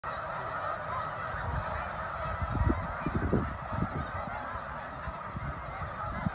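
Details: Large flock of wild snow geese during migration at Middle Creek: a dense, continuous roar of overlapping honking and yelping calls, with louder individual honks standing out near the middle.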